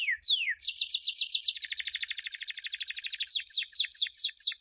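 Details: Champion canary song for teaching youngsters: two falling slurred whistles, then a long rapid high trill that slows into spaced descending sweeps.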